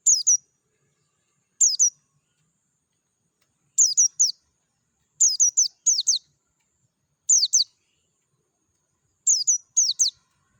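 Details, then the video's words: Dakun-type white-eye heard in nature: high, thin descending chirps given in twos and threes, bursts coming every second or two in a clean, quiet recording. "PLECI DAKUN NGALAS SUARA JERNIH"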